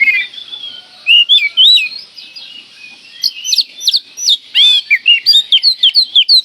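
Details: A lure song to provoke magpie-robins: an oriental magpie-robin gives a rich, varied string of whistles, buzzy high notes and fast chattering trills that grow busier and more rapid toward the end.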